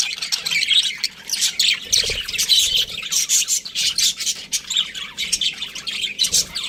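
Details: Budgies twittering in bursts, high buzzy warbles and short chirps pulsing every fraction of a second, from several birds at once.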